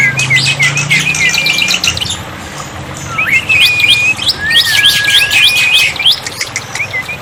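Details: Water-therapy tutor sound of black-winged myna for coaxing silent birds to respond: bursts of bright chattering with short level whistles, a pause, then renewed chatter and a long falling whistle.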